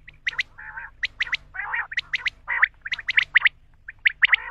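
A male common quail gives sharp, liquid notes, often in quick threes, mixed with lower, harsh, nasal notes, all repeated in a brisk, uneven run.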